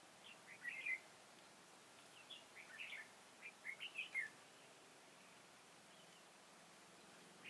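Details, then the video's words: Red-whiskered bulbul decoy singing at a trap set for wild birds at Chùa Hương, Vietnam, on 10 March 2018: short warbled phrases, a few notes each, in scattered bursts over a hissing rural background. "Bẫy chào mào bổi chùa hương"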